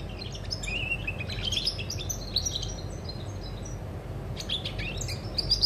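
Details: European goldfinch recorded on 20 August 2020, giving scattered bursts of bright twittering notes and a short rising whistle, with pauses between phrases over a constant low rumble.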